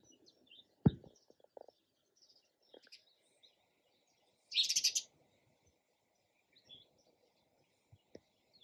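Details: Sparrow chirping: one dense, buzzy burst of high chirps about half a second long, with faint scattered tweets and a sharp low knock earlier.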